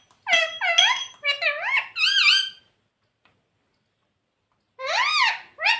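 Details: Pet ringneck parrot mimicking "Mummy Papa": a quick run of four strident, speech-like syllables with swooping inflection, two seconds of silence, then two more similar syllables.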